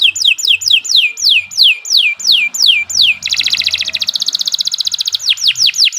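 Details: Tutor song from a Kenari 86 canary singing long and continuously: clear downward-sweeping whistles repeated about three times a second, a rapid rattling trill, then more falling whistles, with a faint low hum beneath.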